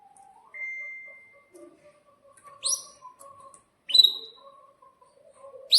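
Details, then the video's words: Caged canary in breeding condition, used as a lure recording for young canaries learning to sing; a long flat whistle, then sharp upswept 'cuit' chirps at intervals over soft lower warbling notes. "Pancingan Kenari GACOR panjang untuk Masteran Kenari PAUD & agar Kenari diam agar bunyi & gacor"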